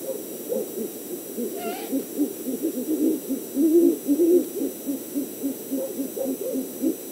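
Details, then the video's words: A mating pair of great horned owls in Montana around 6:40 pm on 8 March give low, soft hooting notes in a quick irregular run, with one brief higher rising whistle early on; the male is later found to make this whistle. "GHOW Love & the Tea kettle"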